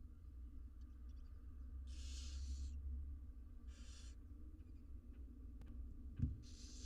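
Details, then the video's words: Feeding time for six wild barn owl nestlings in a monitored nest box, with three long, rasping hisses spaced over seven seconds, a sharp knock near the end and a steady low drone. "All 6 barn owl nestlings get fed insnside nesr box"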